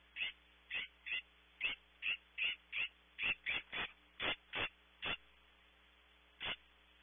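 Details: Webcam recording outside a nest cavity at Audubon Starr Ranch, California, of a California scrub jay giving a rapid run of about fifteen harsh, scratchy notes, roughly one per third of a second, then a pause and a single final note.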